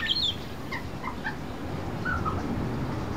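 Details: A young pied butcherbird, visiting since it was a chick, sits on a fence under a verandah in rain, mimicking learned sounds; here a few short varied whistled notes, some high and sliding, others lower and mellow, over steady rain hiss.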